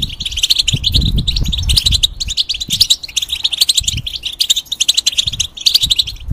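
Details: European goldfinch kept in a cage as a song tutor for young birds, delivering a continuous, rapid jumble of bright chirps and liquid trills, with low rumbling knocks in the background.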